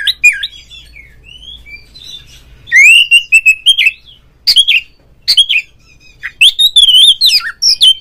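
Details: Oriental magpie-robin in 'ngeplong' calling song, meant to set other magpie-robins singing: twisting whistles at first, then a loud rising phrase followed by sharp separate chirps and a rich warbled ending.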